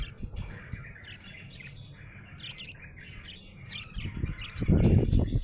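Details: Contented budgie twittering in fast, irregular chirps, nearly three a second, bright and slightly buzzy. Low background rumble throughout, with a loud burst of low noise near the end.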